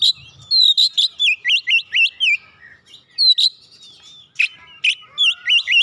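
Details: Oriental magpie-robin stimulated to sing: loud, varied whistled song of rapid zigzag notes and sharp upward sweeps in bursts, with short pauses between phrases.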